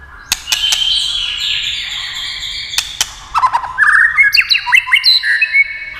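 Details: White-rumped shama brought into song by tail-tapping clacks: a few sharp clicks and a soft warble, then a burst of rich, fluty whistles and quick chattering notes.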